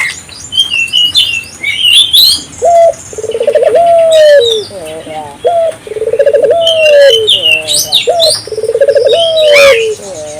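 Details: Calling African collared dove, played to prompt local doves into calling; a short note followed by long rolling, purring coos that swell and fall, repeated several times, with sharp chirping from other small birds throughout.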